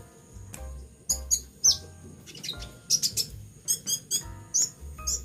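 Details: Caged pet sunbird in moult, singing energetically with rapid, thin, very high chirps and trills in quick bursts, several notes per second, over soft low background music.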